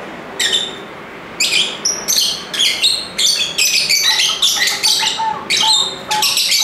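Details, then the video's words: Busy lovebird chatter: shrill, scratchy chirps and squeaks tumble over one another almost without pause, with a few brief piping whistles mixed in and a soft background hum. "Ramai Kicauan Lovebird (Lovebirds Sounds)"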